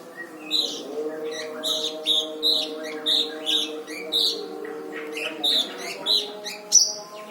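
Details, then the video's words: Brown-throated sunbird song recorded as a training track for other songbirds, described as dense and full of harsh rapid bursts: sharp high chirped phrases repeated about every half second, a steady low hum running underneath. "Burung Masteran Kolibri Ninja dada coklat gacor"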